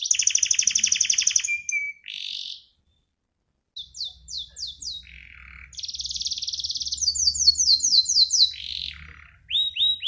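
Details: Canary song in bursts: a rapid rattling trill, short pause, then descending whistled slurs, a low buzzy note, a rolling trill and quick rising chirps, with a faint low hum underneath.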